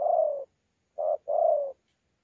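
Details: Spotted dove, wild-caught mixed local bird, Sa Thầy, Vietnam, 26 November 2019, 'đấu' cooing with 'gù': a long low coo, then after a pause a short note followed by another long, level coo.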